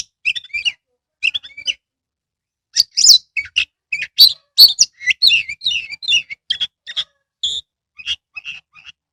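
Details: Oriental magpie-robin kept in a cage in Kebumen, Indonesia, singing energetically with its tail open: varied high whistles, chirps and warbled phrases in quick irregular sequences, the notes growing denser and more tumbling midway through, with no other sounds.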